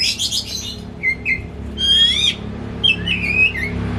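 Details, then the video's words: Caged pet white-rumped shama kept at home as a hobby, singing as a lure to make another shama sing: scattered whistled notes and short sweeping phrases, a bright rising and falling trill in the middle, low indoor hum beneath. "Kicau Kacer Rumahan Emosi Buka Ekor Ngeplong Terus"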